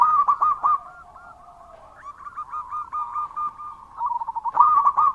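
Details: Loud, vigorous song of a local zebra dove from Indonesia: mellow cooing phrases that open with clipped, stuttering notes, then flow into a wavering, continuous run of soft coos, and end in another sharp burst of rapid notes.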